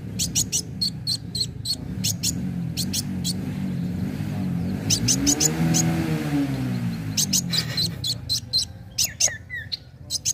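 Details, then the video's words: Kolibri wulung sunbird singing energetically, used as a lure to make other birds sing: rapid bursts of sharp, very high chirps in clusters, with a steady low hum underneath. "Pancingan kowul gacor narung"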